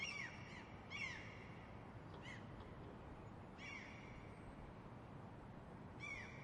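Gulls give harsh, arching, nasal cries, single or in quick pairs, every second or two over a steady low rumble of wind or surf.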